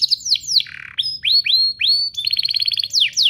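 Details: Spirited canary duo song for prompting young canaries: descending notes, a low buzzy note, several rising whistles, a pulsed trill and final down-slurred sweeps.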